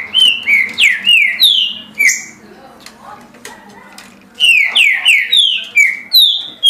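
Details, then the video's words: Green-winged saltator, recorded singing 17 songs per minute, pours out rapid strings of rich descending whistles, a quiet gap of about two seconds, then another fast whistled burst. "Trinca Ferro Senhor dos Anéis Passando 17 Cantos por Minuto"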